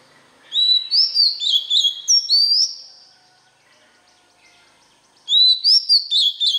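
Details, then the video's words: Oriental magpie-robin song used to coach young birds: a run of about eight ringing, upswept whistles, then a silent gap, then another burst of rapid whistled notes. "Luyện Giọng chòe than, ép giọng chòe than, cho chim non học giọng"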